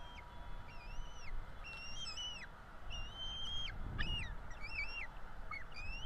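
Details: Begging from wild bald eagle chicks at a Florida nest during feeding, April 2022: repeated piping whistles, each rising then bending downward, some with a wavering quality, roughly one to two per second over quiet background hiss.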